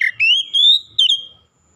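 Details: Oriental magpie-robin singing as a lure for other birds: a single long, clear whistled phrase sliding upward, held, then breaking into a few short notes before fading.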